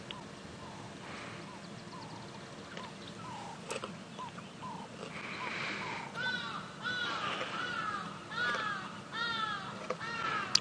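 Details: Distant Hadeda Ibises give loud, harsh, arching 'haa-haa' calls in a ragged series at sunrise on 26 October 2016 on an African game reserve under dark low clouds, building in the second half over a low engine rumble and faint voices.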